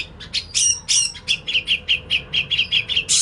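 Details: Lure and tutor recording of an untrained grey-cheeked bulbul: fast, slightly uneven chipping notes, several per second, mixed with a few harsh rasping squawks.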